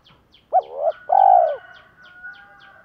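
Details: Decoy spotted dove calling to provoke wild doves. A brief hooked note leads into a wavering coo, then a longer, level, husky note. A thin whistled tone lingers afterward, with soft repeated high ticks.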